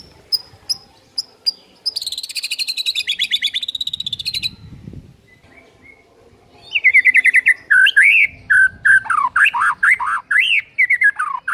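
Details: White-rumped shama in captivity, its song meant to set other shamas singing: a rapid buzzy rattle of high notes, a brief pause, then loud looping whistles that rise and fall in quick succession.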